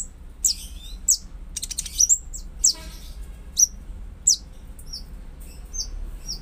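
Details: Konin singing to stimulate a silent or stressed konin: sharp high chirps spaced about a second apart, followed by softer short whistled notes, with a low background hum.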